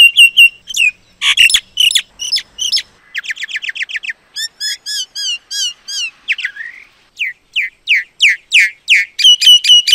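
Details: Common myna song, a varied run of sharp chirps, clicks and short whistled notes, including fast series of repeated buzzy strokes and rising slurred whistles, loud and clean with no other sounds.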